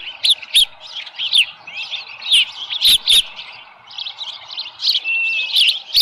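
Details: High piping calls from an osprey nest at Dunrovin Ranch, 7:10 AM on 13 July 2018, with a small live fish present: quick whistled chirps and short upslurred notes in bursts, plus scattered sharp taps.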